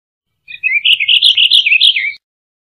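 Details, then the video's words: Purple finch delivering a continuous, rich warbling phrase of quick, rolling notes that rise and fall, about 1.7 seconds long and ending in a dropping note. The recording is quiet otherwise. "Purple Finch Singing - Camachuelo Purpúreo Cantando"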